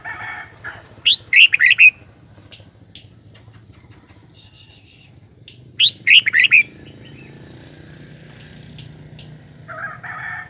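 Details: Captive red-whiskered bulbul singing two brisk phrases of four or five chirpy notes, about five seconds apart. Steady background noise runs throughout, with louder, harsher sounds at the beginning and end.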